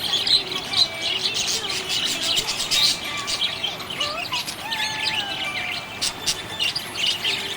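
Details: Budgerigar in a happy mood, chirping nonstop: rapid scratchy tweets and buzzy warbled notes pile on one another, louder spurts near the start and middle, over faint lower gliding whistle tones.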